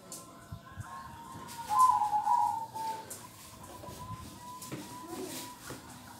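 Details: Local zebra dove with a kong-style voice singing: a loud trilled, wavering coo phrase near two seconds, with fainter dove coos from other birds before and after, over steady background hiss.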